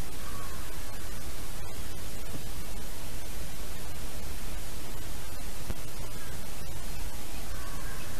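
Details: Only steady broadband noise and static is heard, with no animal sound.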